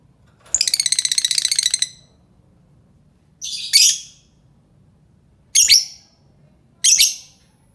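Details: Lovebird calling to lure others: a rapid buzzy rattle of shrill notes lasting over a second, then three separate harsh, piercing chirp bursts spaced a second or two apart, with quiet low background hum.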